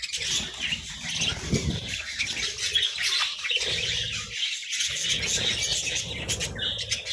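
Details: Several captive budgerigars chirp while eating vegetables; dense, scratchy chatter of overlapping high chirps and squawks runs throughout, with low thumps and rustling beneath and a brief lull near the middle.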